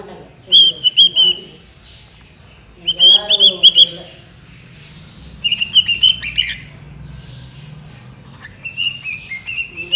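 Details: A female pet cockatiel sings in short bursts of bright, warbling whistles with brief pauses between phrases.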